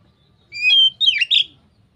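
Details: Short ngeplong phrase from an Oriental magpie-robin, a song said to get others of its kind singing: one long steady whistle followed by buzzy, tumbling descending notes, with faint low background rumble.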